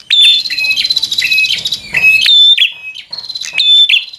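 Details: Bar-winged prinia singing to provoke a rival to fight: a near-continuous stream of rapid, buzzy, trilled notes alternating between two pitches, broken by short pauses.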